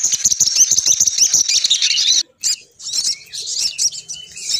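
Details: Female sogon bird lure call, used to draw males down. It opens with a rapid, dense run of high chirps for about two seconds, then a brief pause and scattered twittering notes.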